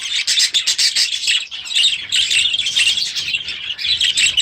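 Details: Young budgerigars, last year's babies now grown, in their new aviary at the start of the new season: dense, continuous high warbling chatter with rapid chirps and squawks overlapping from many birds, pausing briefly mid-clip.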